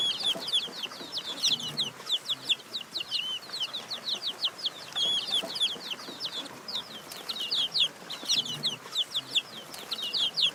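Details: Young chicken chicks chirping as a flock: a dense, continuous stream of high, thin, downslurred peeps overlapping from many birds, with soft low clucking underneath.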